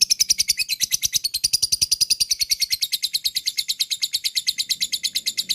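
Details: Lovebird in sustained ngekek chatter, a lure for other lovebirds: a dense, rapid rattle of shrill high notes, about eight per second, continuing without a break for over five seconds.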